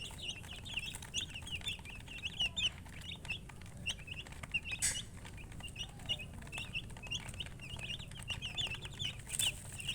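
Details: High, quavering peeps from a group of young chicks arrive in clustered bursts separated by short lulls, some notes sweeping upward, over a persistent low hum and occasional soft clicks.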